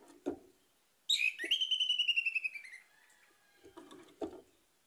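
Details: Orange-headed thrush singing as a lure for other birds: a single long run of evenly repeated whistled notes that slowly falls in pitch over about two seconds, with low clattering thumps before and after.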